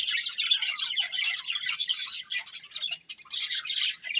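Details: Budgerigars of a colourful breeding pair twitter in rapid, overlapping chirps, easing into a short lull before a loud chattering burst.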